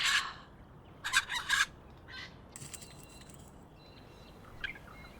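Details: Red wattlebird in Melbourne city at dawn, among the loudest birds in the morning chorus: harsh, raspy, coughing bursts in three or four irregular clusters, with faint high chirps from other birds between them.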